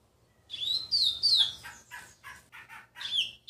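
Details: A young rusty-collared seedeater, only six months into training, sings its first "tui tui" notes: three high, slurred, falling whistles, then a run of shorter buzzy chirps and a final rising whistle.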